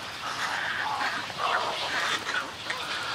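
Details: Snowy egret colony and greeting calls: drawn-out, hoarse, buzzy squawks from several birds, rising and falling over a continuous background of croaking.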